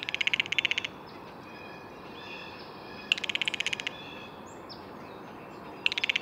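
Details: Blue jay making fast, dry rattling bursts of clicks, three bursts separated by pauses, with faint thin whistles and chirps from other birds in between.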